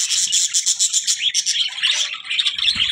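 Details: Budgerigar chatter opening with a fast run of pulsed chirps, about ten per second, then sliding into looser warbled squeaks and chirrups over a chattering background.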